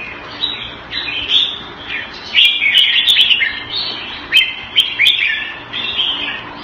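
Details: Thai-style caged red-whiskered bulbul in Singapore giving clear, chirpy, fluty notes and short warbles that grow stronger midway, over a soft hiss of background noise with occasional clicks.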